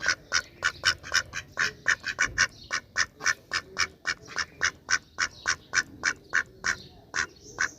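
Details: Duck calling with a fast, steady stream of loud, raspy quacks, roughly three to four each second without pause, each quack short and nasal.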